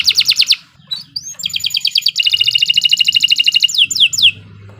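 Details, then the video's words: Canary tutor song for novice songbirds: a quick pulsed burst, a rising whistle, then two fast trills at slightly different pitches, ending in two downward-swooping whistles over a soft low hum. "Kicau Burung Kenari 86 II GACOR PANJANG Cocok untuk Masteran"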